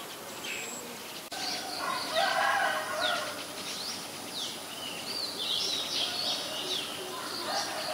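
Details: Common myna, Acridotheres tristis, recorded in Ubon Ratchathani, Thailand, on May 7, 2022; a busy run of harsh chattering notes mixed with whistled upslurs and downslurs, steady background hiss.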